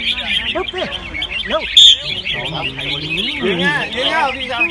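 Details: Red-whiskered bulbuls in cages at a bird-singing competition ground in Chonburi, Thailand, pouring out quick, bright chirping and rolling phrases together, overlaid by men's voices and one brief electronic beep.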